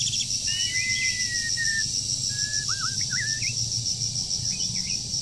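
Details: Moulting wild forest bird in breeding season sings sliding whistles and wavy warbled notes in a loose phrase, with a constant shrill insect buzz behind.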